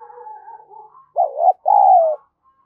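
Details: Lure call of a spotted dove, urging and cooing to stimulate other doves: a soft wavering hum, then a clear low coo in two parts, a short note followed by a longer downward-sliding note.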